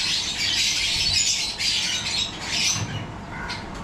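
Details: Yellow-collared lovebirds kept for breeding, giving bursts of harsh, high squawking chatter from several birds that thin out toward the end, with low rumbling noise below.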